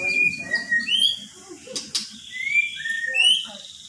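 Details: Magpie-robin singing and said to call out "Pak Jokowi", unedited: clear high whistles, sliding and rising, some falling, in short phrases separated by brief pauses, with two sharp clicks midway.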